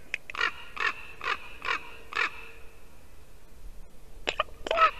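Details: Fairly distant ravens visiting a white-tailed eagle nest in Latvia on a December morning in 2019 give five evenly spaced hoarse croaks, then after a short pause some sharper clicking, knocking notes.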